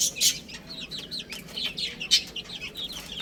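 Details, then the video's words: A flock of little chicks eating and playing, giving thin, high, upslurred peeps in quick succession, with a few sharp louder chirps standing out. "Cute Little Chicks Chirping Sounds"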